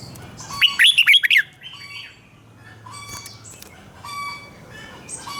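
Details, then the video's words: Caged red-whiskered bulbul singing a 'rik' style doubled song, played for young birds to copy: one quick burst of about five liquid, warbled notes, with faint whistles from other birds in the background. "นกหัวจุกนกร้องริก เบิ้ล3 เปิดให้นกฟังก๊อปติดง่าย"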